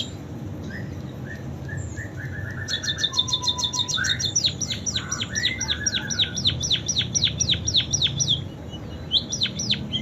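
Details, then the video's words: Munia song filled with canary imitations: a low stuttering chatter, then a rapid high trill, followed by a long series of steeply falling whistled notes, about four per second, with a soft background hum. "Burung PIPIT Full isian KENARI"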